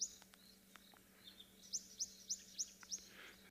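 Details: Rattling cisticola (Cisticola chiniana) calling vigorously in the southern African bush with a quick string of sharp, very high chips, about three each second, over a faint low steady hum; other birds, including cuckoos, are calling nearby.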